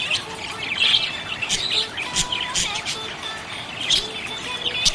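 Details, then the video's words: Budgerigar happily chirping: soft scratchy warbles and short squeaks, punctuated by a few sharp clicks, with a quieter steady tone running beneath the chatter. "Happy budgie chirping sound"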